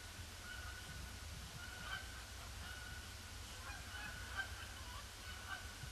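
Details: Canada geese flying in over a pond on a grey Boxing Day, circling before landing; fairly distant, overlapping honks form a soft chorus above a low constant rumble.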